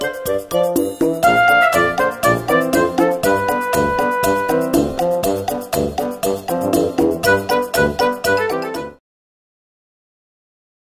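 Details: Upbeat brass music with trumpets and horns plays in a steady rhythm for about nine seconds, then stops into silence.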